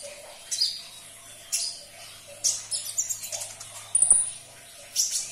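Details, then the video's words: High sunbird song, played to coax a caged bird to sing: separated bursts of sharp, thin chirps, then a brief jumbled twitter and a bright ringing whistle near the end. "Putarkan 1 menit saja video ini KONIN anda pasti langsung nyaut"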